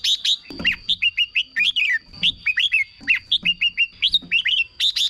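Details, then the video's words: Caged red-whiskered bulbul song, played to excite other caged birds: bright whistled phrases of quick rising-falling notes in bursts, with sharp chip notes between, a steady faint high hum underneath. "เสียงนกกรงหัวจุก สำหรับต่อ หรือ เปิดให้นกคึก เสียงเพราะๆ"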